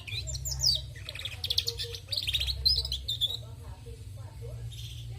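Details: Female canary chirping and trilling energetically: quick high twitters and a repeated rattling trill, fading to sparse notes near the end, with a low constant hum behind.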